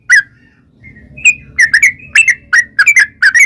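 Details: Sooty-headed bulbul lure song in the 'ropel' style: a lone chirp and soft notes, then quickening bright doubled chirps, with a low rumbling hum beneath.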